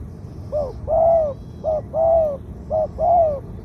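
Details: Spotted dove kept as a ground decoy bird, singing the two-'kuk', 'khu-aang' style in a medium-pitched voice: three soft two-part coos, a short wavering note and then a longer drawn arching one, about one second apart.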